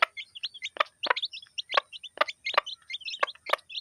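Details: Chicks beside their hen eating food in a village setting, giving rapid thin cheeps in clusters, broken by repeated crisp pecking taps.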